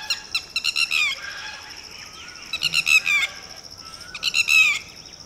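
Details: Red-wattled lapwing mother with a newly hatched chick and unhatched eggs, calling in panic as a Shikra swoops low; three loud bursts of sharp, harmonic, rapidly repeated notes, each burst ending in a downslurred cry, with short gaps between.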